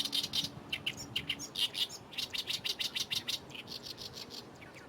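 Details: Lively Oriental reed warbler singing in a reed bed beside the runway at Fukuoka Airport, Japan: harsh, chattering notes in quick rhythmic runs, each note a short grating burst, repeated several times a second with brief pauses between phrases.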